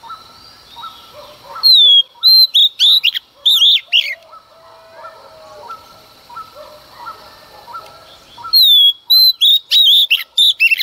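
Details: Early-morning song of a female Oriental magpie-robin provoking males: two bursts of loud whistles and quick, varied phrases separated by a spell of soft low chirping from other birds.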